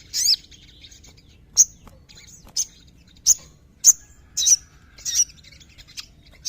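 Sooty-headed Bulbul giving short, bright, high chirping notes, repeated about once a second at an uneven pace, over a quiet low background hum.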